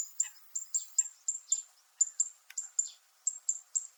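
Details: Zitting cisticola, also called fan-tailed warbler, on Miyako Island in Okinawa, Japan, making its metallic sound: a steady series of sharp, high, tinny ticks, about three per second, some followed by soft rasping notes.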